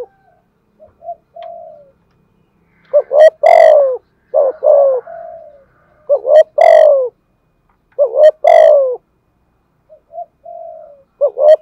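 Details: A decoy spotted dove coos thúc gù style in a giọng thổ voice: loud, rough phrases of paired short notes ending in long falling coos, returning about every two seconds, with quieter level notes between phrases.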